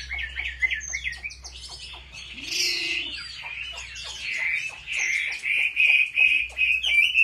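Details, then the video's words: Competitive song of a home-trained Chinese hwamei: varied warbling with a harsh squawk-like burst early on, then steady high whistles pulsing about three times a second. "Họa mi hót đấu cực hay"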